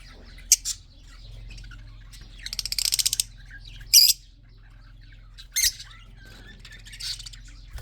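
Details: Red-eyed budgerigars in a breeding colony, male and female: sharp broadband chirps at intervals, one rapid stuttering burst near three seconds, then isolated harsh squawk-like notes, over a steady low hum.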